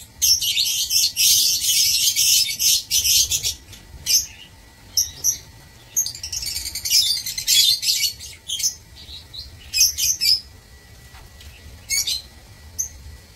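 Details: Several lovebirds kept in an aviary, 16 March 2024, giving a loud stream of harsh high-pitched chatter and squeaky chirps, busiest in the first few seconds, then broken bursts and short shrill notes.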